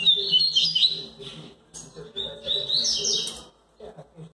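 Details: Song of a double-collared seedeater (coleiro), Bahiano line, during chick season: two bursts of high, fast warbled and whistled notes separated by a short pause, with a steady low hum in the background.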